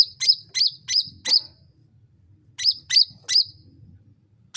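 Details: Sooty-headed bulbul used as a lure to make birds respond: two runs of sharp, high, downslurred notes, four then three, separated by a pause, over a faint low rumble.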